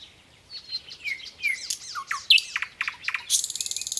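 A nightingale sings a quick, varied run of high whistles, slurred sweeps and chirps, ending in a fast, buzzy trill of about a dozen repeated notes.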